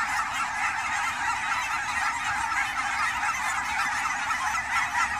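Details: A large group of Canada geese on fall migration in Oregon's Fern Hill Wildlife Area; overlapping harsh honks run together into one continuous din.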